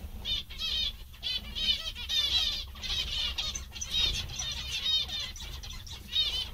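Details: Happy zebra finches chattering almost nonstop. Bursts of bright, nasal, harmonic beeps overlap in busy runs, with brief pauses and flapping sounds, over a low steady hum.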